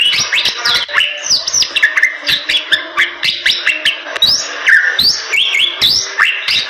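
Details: Bali myna in energetic song, mixing high swooping whistles with quick chattering notes and clicks in an unbroken, varied flow.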